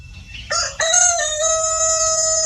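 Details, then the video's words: Rooster on a chicken farm crowing: a short rising opening note, then a loud harmonic crow held level for well over a second, steady and sustained to the end. "The Rooster's Crow: The Sound of a New Beginning"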